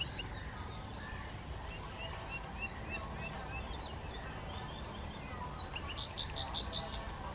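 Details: Young Eurasian penduline tits search for food beside Zámecký rybník in Chropyně on 3 July 2019. Thin, high whistles dropping in pitch repeat roughly every two and a half seconds, with soft chatter near the end.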